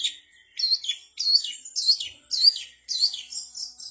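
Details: Cendet, the long-tailed shrike, performing mimicked material of bulbul, canary, sparrow and prinia calls. High, sharp twittering phrases with slurred whistles, delivered in short bursts about every half second after a brief pause.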